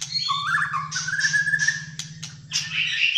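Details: Malaysian white-rumped shama in energetic fighter-style full song: sliding whistled notes rising and falling between mid and high pitch, mixed with harsh chattering bursts, over a steady low mechanical hum.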